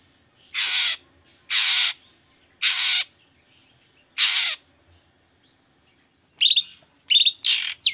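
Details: Long-tailed shrike, in a recording meant to trigger other shrikes into song: four loud grating rasps about one second apart, then a quick run of sharp whistled and chipping notes.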